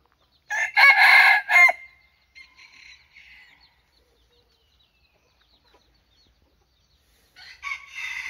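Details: A red-eared bantam decoy rooster, basking in the warm sun, gives a short, loud, harsh crow of about a second, then softer clucking notes, then the start of another crow.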